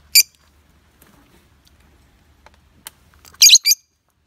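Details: Pet lovebird giving a few harsh, shrill chirps: one at the start, then a louder double burst near the end, with near silence in between.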